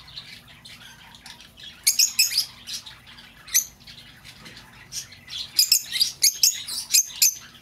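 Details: Lovebird calls for attracting an escaped bird: quiet at first, then clusters of harsh, high squawks and chirps, building into a fast, busy chatter near the end.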